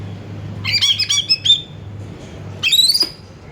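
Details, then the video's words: Oriental magpie-robin (kacer) song aimed at provoking another kacer to sing: a fast chattering run of scratchy notes, a pause, then a rising buzzy whistle, over a steady low hum. "PANGGIL KACER GACOR BUNYI MEWAH"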